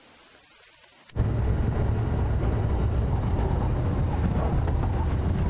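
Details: After about a second of near quiet, a sudden loud, steady low rumble of engine or wind noise fills the rest of the recording, with no animal calls.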